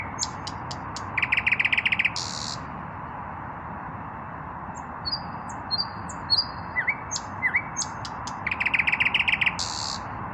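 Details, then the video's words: Evening song of a common nightingale, an unpaired male singing with raised breast: sharp high ticks, a rapid throbbing run of repeated notes, a buzzy burst, then thin drawn whistles and short upslurred notes, over steady background hiss. "Наслаждаюсь вечерней песней соловья"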